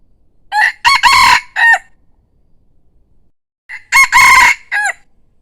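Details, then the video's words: Handsome decoy rooster crowing pleasantly: two full crows about three seconds apart, each a loud, rough, harmonic phrase of several syllables ending in a short falling note. The setting is quiet apart from the crowing. "ไก่ต่อสวย, ขันม่วน saib qaib cuab qua zoo nawb"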